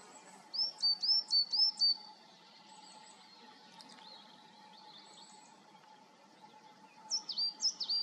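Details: Coal tit in Galicia's Serra da Groba pine woods giving its incessant 'tit-tuii' call: four rapid high whistled two-note phrases, a quiet gap, then a second sharper series near the end. A faint constant hum runs beneath.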